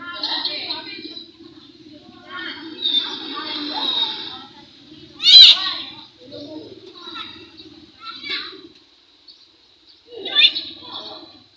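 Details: Talkative myna mimicking speech: several short, nasal, word-like phrases separated by pauses, with two loud squeaky peaks, one near the middle and one near the end, over a faint steady hum.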